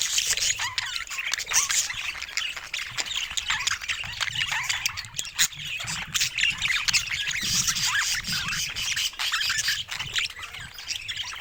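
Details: Group of pet budgerigars chattering continuously, a thick blend of high squawks, chirps and warbled notes from many birds, steady in loudness with occasional sharp clicks.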